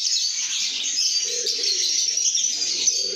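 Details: Brief burst of happy lovebird chatter: piercing high twitters and squeaks overlapping densely, with soft low cooing in the background.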